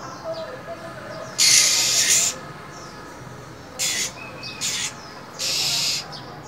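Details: Caged female than bird calling in cold winter to excite a male into song: one long harsh hiss, then three shorter airy hisses, with faint whistles between.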